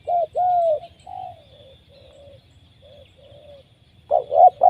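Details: Powerful call of a wild spotted dove caught by trapping: a short and a long coo, then softer fading coos, followed by a fresh loud burst of rapid paired coos; quiet background.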